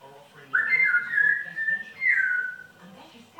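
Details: Pet African grey parrot, said to swear and talk in a yam yam accent, whistling two long clear notes, the first held level, the second sliding down, followed by a brief start of another whistle.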